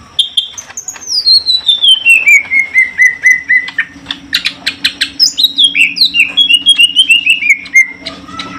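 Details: Caged greater green leafbird pair being introduced for mating in Indonesia; a long descending whistled glide of bright notes, a burst of sharp chirps, then another cascading whistled run, over a low steady hum.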